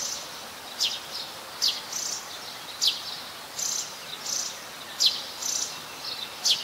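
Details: Plain-backed sparrow recorded in Ubon Ratchathani, Thailand, in January: sharp high chirps roughly every second, some doubled, above a constant high-pitched insect-like hiss.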